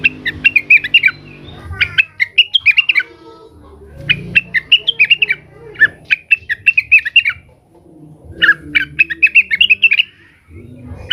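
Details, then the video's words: Leafbird (cucak wilis), agitated and calling out to rivals: bursts of rapid, sharp chirping notes sung at a fast, even rhythm, with brief pauses between runs and faint low background noise. "suara burung cucak wilis gacor, emosi manggil manggil lawan"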